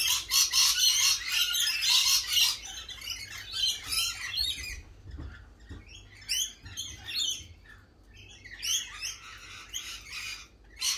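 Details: Spring lorikeets in a loud, crowded burst of rasping squawks and chatter for several seconds, then quieter scattered shrieks with short pauses before the noisy calling swells again.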